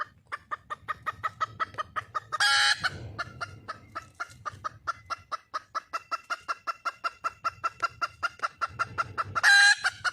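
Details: Wild junglefowl hen seeking a mate: long chains of fast, crisp clucks, with two loud raspy screeches standing out, one early and one near the end, and a faint low rumble underneath.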